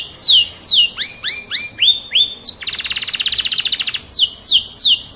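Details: Singing F1 canary: falling whistles, a run of rising upslurred notes, then a long rapid buzzing trill of some twenty pulses, ending with more crisp descending whistles; bright, high and energetic delivery.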